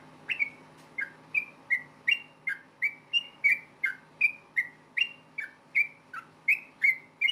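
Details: Rapid fighting song of a yellow-vented bulbul, meant to prompt nearby bulbuls to reply. Loud, clipped whistles with clicky attacks run almost three per second, shifting up and down in pitch above a low hum.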